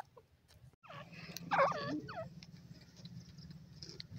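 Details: Partridge giving a short burst of harsh, strongly harmonic calls, several quick rising-and-falling notes packed together in the middle, preceded by a few faint notes, over a steady low hum.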